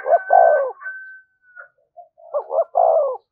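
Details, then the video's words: Spotted dove cooing in "thúc gù" style for luring: a falling coo accompanied by a steady thin whistled tone, quiet soft notes, then stuttered notes and another descending coo. "tiếng cu gáy/ cu gáy thúc gù bài bản dùng kích bổi hiệu quả"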